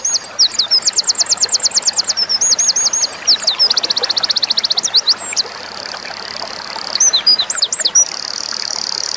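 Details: Winter Wren song used for tutoring small cage birds such as white-eyes and magpie-robins: a long, fast, high tinkling stream of rapid trills and sharp whistled notes, with a steady high hiss between phrases.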